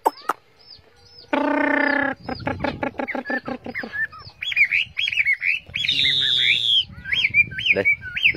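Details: Tame Chinese hwamei in a carried cage: a harsh buzzy burst, quick ticking notes, then varied looping whistles over low rumbling background noise.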